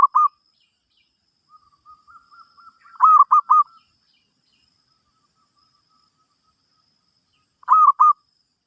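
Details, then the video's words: Zebra dove giving its song in a session for teaching a new bird: soft faint cooing leads into a loud triple coo, a short note opens, and another three-note phrase comes about four seconds later. "Suara Burung Merbok"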